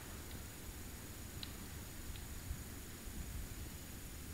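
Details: Steady hiss with a low rumble throughout, a faint constant high tone, and a few soft rustles.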